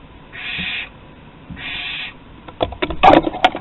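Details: Barn owl chicks begging at the nest during food deliveries at Théding, 8 August 2020: two breathy, hissing bursts about half a second each, then sharp clattering and scraping noises from the nest.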